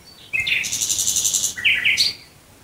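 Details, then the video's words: Near Dresden, Germany, a nightingale sings at night: a dense, fast series of high buzzing trills, then a brief pause and several clear whistled notes dropping in pitch, with a quiet background. "ASMR 1 Stunde Nachtigall Gesang Geräusch. Singing Nightingale Sound. Vogel der Nacht Nähe Dresden"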